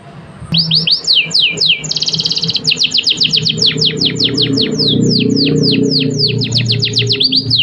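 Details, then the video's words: Canary song used as a master recording to stimulate other birds to sing: rapid falling whistled sweeps repeated several times a second, with a buzzy rattling trill near the start and a faint low hum beneath. "Kenari full durasi Top Masteran, merangsang burung lain berkicau"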